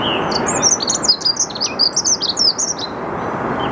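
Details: Dunnock singing in the early morning at 08:55 on 8 March 2022 in the Saarn-Mendener Ruhraue, Mülheim an der Ruhr, recorded with a Canon EOS R5: a rapid, jumbled run of high, thin warbled notes over steady low background rumble.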